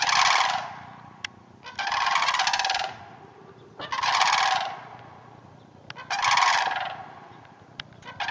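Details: Sandhill cranes calling from a neighbouring hayfield north of the Twin Cities: harsh, trumpeting rattles of about a second each, four bursts with short gaps and faint clicks between.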